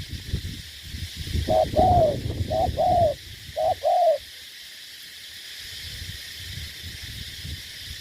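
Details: Spotted dove serving as a ground-fighting decoy in Ca Mau, Vietnam, giving three paired coos, short then sustained, over low rumbling background, then a quiet stretch.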